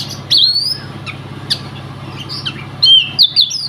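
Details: Competition Oriental magpie-robin from Riau, undefeated in provincial-level audition, gives one long rising whistle, then soft scattered notes and a closing burst of bright clipped whistles over low background hum.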